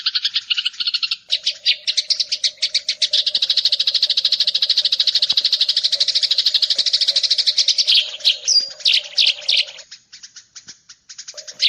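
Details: Eurasian tree sparrow fast "nyrecet" chattering from a recording meant to provoke singing: a long, dense run of shrill, rasping chirps repeated several times per second, ending in scattered louder notes, with a steady faint hum underneath.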